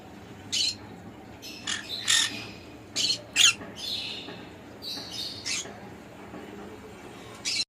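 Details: A conure calls with loud, grating screeches in quick clusters, several close together around the middle, then sparser outbursts before one final squawk, with faint hiss underneath.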